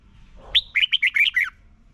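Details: Red-whiskered bulbul from Thailand, a recording played each morning so young birds learn to sing. One quick phrase of about six clear whistled notes, rising then bouncing up and down, lasting under a second, over faint low background hum.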